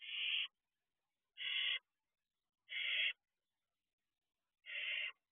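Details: Wild barn owl owlets atop their owl box at night, 3:11 am, June 2023, one having joined its sibling on the roof: four harsh hissing screeches, roughly one every second and a half.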